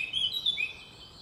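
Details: Eurasian blackcap singing in a forest, a brief fragment of high, clear, melodic warbling notes slurring up and down over about a second, against a faint background hiss.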